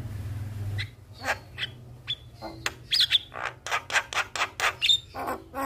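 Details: Javan myna song played as a lure to make a quiet, reluctant myna start singing: scattered harsh chattering notes and short whistles, then a fast run of loud raspy bursts, with low hum in the background.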